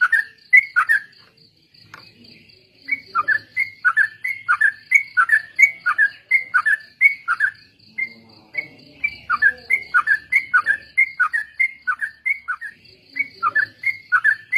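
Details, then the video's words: Trucuk, the sooty-headed bulbul, sings a lure recording for training other birds in ombyokan and ropel style: long, steady series of bubbly whistled phrases, with a persistent high metallic ticking and faint low rustling. "suara burung trucuk||pancingan bahan ombyokan dan ikut ropel"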